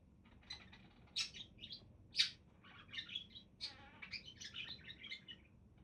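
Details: Budgies trade sharp, loud chirps, then break into a fast run of buzzy, rattling warble notes and squeaks.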